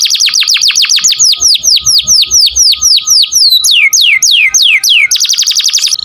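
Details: Canary singing 'gacor' for training other songbirds: a long series of rapid downward-sweeping whistled notes, about four per second, slowing into broader slurs, then a sudden fast high trill at the end.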